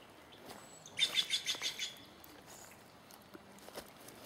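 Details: High, sharp chirping from a bird in Takilma, Oregon, between April 1 and 6, 2017: about six rapid notes over roughly one second, then quiet with faint background rustle and a distant tick or two.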